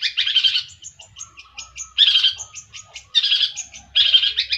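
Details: Long-tailed shrike singing in loud harsh buzzy bursts about once a second, each followed by thin high chips and a faint lower whistled note between bursts.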